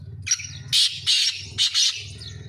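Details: Black francolin, a kept bird: loud, harsh grating call of several rasping bursts, the strongest three broad and scratchy, with a low steady hum beneath.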